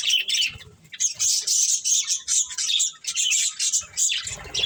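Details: Pet budgerigars chattering as they feed on corn, a near-continuous stream of high, buzzy chirps and warbles in pulsing bursts, with faint low thumps of movement.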